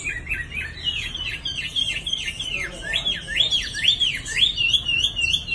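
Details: Nearly two-season-old Chinese hwamei, caged and moulting in Hanoi, Vietnam, repeats a quick run of rising-and-falling whistled notes, about three each second, rich and ringing throughout.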